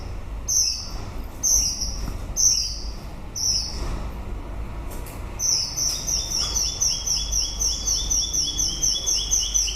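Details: White-rumped shama song late in the breeding season: short high phrases repeated about once a second, then a fast rapid run of sweet notes rattling on steadily, with low rumble beneath.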